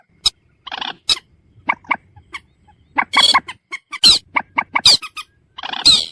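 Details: Common moorhen calling: short harmonic clucks and squawks in irregular bursts, broken by harsh, noisy screeches around three, four and six seconds, with quiet gaps between.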